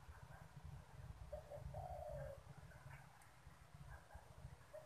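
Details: Pet spotted dove cooing as strangers arrive, a single phrase of two quick low notes followed by a long falling coo, with faint distant bird calls and a continuous low rumble.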